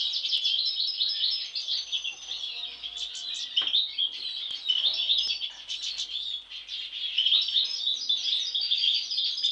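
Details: European goldfinch among sibling birds singing an extended twittering medley of tinkling notes, buzzy trills and sharp chips, with a few faint background knocks.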